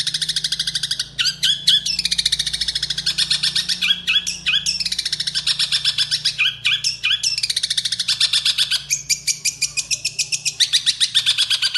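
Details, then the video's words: Cilacap, Central Java long-tailed shrike giving a powerful sparrow-imitating fill-in song for tutoring captive songbirds: continuous rapid harsh chatter repeated several times a second, broken by sharp higher scratchy phrases, with a low electrical hum underneath. "SUARA BURUNG CENDET / PENTET ISIAN GEREJA KUNTI SPEED POWER KERAS"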